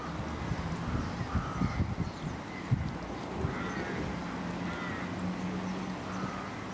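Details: Canada geese on a pond, recorded 22 February 2015 among swans and ducks, give repeated honking calls, several birds overlapping at irregular intervals, over a steady low rumble like distant traffic.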